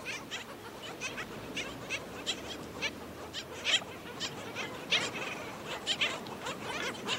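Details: Black skimmer at St. Pete Beach, Florida, as an adult feeds a chick, begging: a steady run of short, harsh, high chips, several each second, with sharper squeaks now and then over a soft beach hiss.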